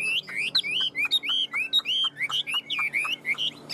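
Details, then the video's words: Caged male Chinese hwamei in northwest Vietnam's mountain style, singing continuously from its cage: loud, clear whistled phrases gliding up and down, delivered rapidly in a lively repeated series of notes with short gaps. "sách lồng hót 11 phút không nghỉ l Hoạt Họa Mi"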